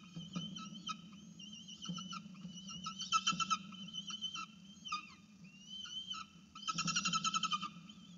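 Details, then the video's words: Falcon on a nest-camera feed begging for food: scattered thin whistled notes, then two rapid runs of harsh, stacked chattering calls, all set against a constant low electrical hum. "FalconCam Project - 叫起來餵食"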